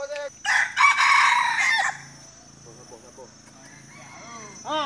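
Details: Rooster in a contest for the most crows in Dungun, Malaysia; one loud rich crow of about one and a half seconds with harsh harmonic bursts, followed by quieter clucks and people talking.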